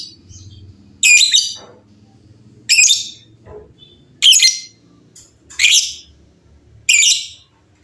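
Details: Lovebirds in a noisy back-and-forth chorus. Harsh, scratchy squawk-like bursts arrive roughly every one and a half seconds, with fainter softer notes between them.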